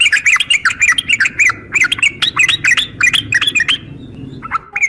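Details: Female yellow-vented bulbul calling a male: quick, looping, whistled phrases with rising and falling bends repeat rapidly and continuously, with a soft background murmur.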